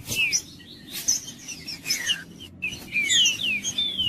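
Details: Green-winged saltator song played to warm up a quiet bird: downslurred whistles and chips, with a brief silence before a denser closing run of sweeping notes, over a low hum.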